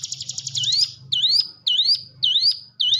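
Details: Song of a Hill prinia used for training shy cage birds: a brief rapid trill, then four bright swept whistles rising in pitch, repeated roughly every half second.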